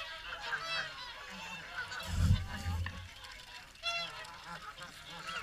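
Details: Swans gathered for the morning feed at Caerlaverock, a flock giving harmonic, honking calls that overlap in bursts, with low thumping rumbles of wind or handling noise in the middle.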